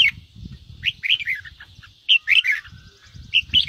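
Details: Red-whiskered bulbul song of the 'ché' style, played to prompt wild-caught birds to sing: clear slurred whistled phrases in quick clusters, with low thumping knocks underneath and a faint high hum.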